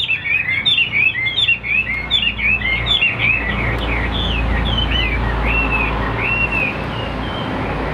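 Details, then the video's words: Chinese Hwamei in a cage, a large bird noted for its singing and its fanning display in fights, pours out quick varied warbling whistles that thin into spaced slurred notes, with steady low background noise. "HÓT TỐT"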